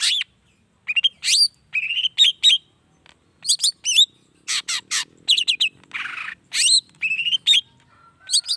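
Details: Long-tailed shrike singing as a lure for rival shrikes; varied chattering phrases mix rising whistles, buzzy rasps and quick repeated high notes in a fast, irregular stream, with a soft low hum beneath.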